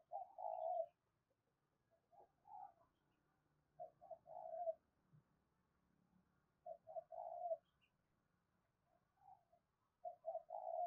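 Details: Spotted dove 'thúc' calling to bring wild birds in to fight, recorded quietly over a low background hum. Repeated short and longer coos come in bursts, about four groups across the recording.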